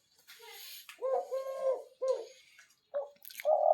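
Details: Captive doves, a spotted pair and a single male, call at night with low, soft coos in short phrases and brief pauses between them; a man's voice is faintly heard in the background.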